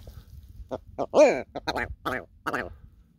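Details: Wild red grouse calling on snowy moorland, a chatty bird met during a mountain bike ride: a series of loud, croaking, nasal notes, one drawn out and bending, then several shorter clipped notes.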